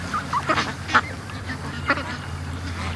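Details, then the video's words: Domestic ducks hurrying to a creek in the morning after release from the pen; a few loud nasal honks and quacks in quick bursts, with a low steady hum behind. "Ducks At The Creek Morning Rush"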